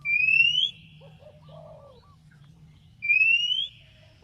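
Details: Oriental magpie-robin (kacer) singing to provoke a rival into answering: two loud, clear rising whistles about three seconds apart, with faint lower chirpy notes between them and a steady low hum underneath.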